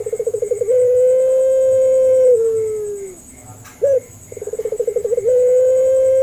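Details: Local Indonesian puter dove in pelung style, played as a lure so other doves answer. Pulsing coos lead into a long flat note that slides down and fades. A brief hooked note and another pulsed run follow, opening into a held tone over a faint whine.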